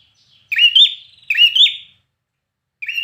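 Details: Red-whiskered bulbul in contest singing, fired-up and trained for competitions: two quick, ringing whistled phrases with upward-bending notes a second apart, a pause, then the start of another.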